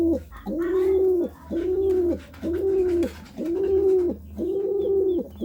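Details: Pigeon courting, giving a steady series of five arched, mellow coos, each about three-quarters of a second long and repeated roughly once per second, over a low hum.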